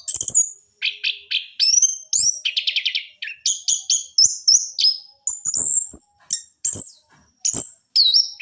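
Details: Training lure of an orange-headed thrush in trotol style: dense rattling trills and buzzy bursts give way to a string of clear, high, drawn-out whistles near the end.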